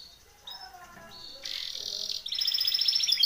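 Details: Timbrado canary singing a training song: quiet scattered notes give way to a loud, dense high buzzy trill, then a fast run of bright, rapidly repeated high chirps.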